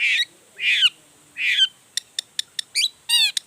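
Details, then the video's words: Long-tailed shrike performing a varied song to excite rival shrikes into singing: three harsh, raspy squawks, then quick high ticks and a buzzy descending phrase. "Cendet Gacor Full Emosi Bongkar Materi Bikin Cendet Lain Langsung Panas Nyaut Ikutan Bunyi"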